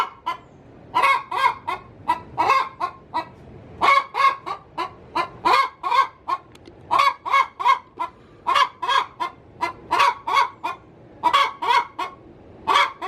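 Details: Domestic hen cackling in her coop before laying an egg: harsh, nasal squawks in bursts of two to four, around forty-three per minute, with brief pauses between groups.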